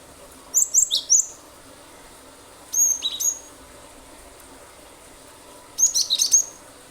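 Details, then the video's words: Cinereous tit (glatik batu), a persistent 'gacor nembak' singer used as a lure so other birds join in, gives three bursts of sharp, very high chirped notes in quick clusters, separated by pauses of about two seconds, over faint steady hiss. "pancingan ampuh glatik batu gacor nembak nembak pasti burung lain ikut bunyi"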